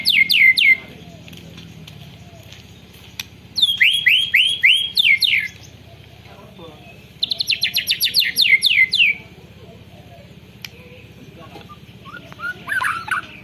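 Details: White-rumped shama in full rolling song with canary phrases, recorded on a Redmi phone: bursts of rapid, high, repeated chipping trills lasting one to two seconds, separated by quiet gaps, plus softer twittering near the end.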